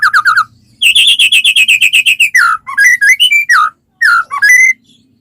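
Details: White-rumped shama singing vigorously to coax other shamas into song: quick low whistles, a long run of rapid repeated high chirps, then varied slurred and warbled phrases.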